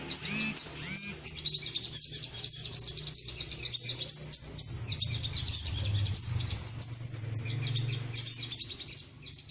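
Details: Sunbird (sogok ontong) lure call used to trap birds: high, fast twittering with repeated sharp downslurred chips, over a steady low hum.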